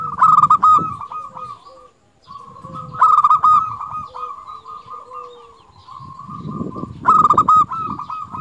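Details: Zebra dove song meant for training and luring other doves: long runs of fast, rattling coos and trills with brief louder bursts, over low rumbling and rustling noise.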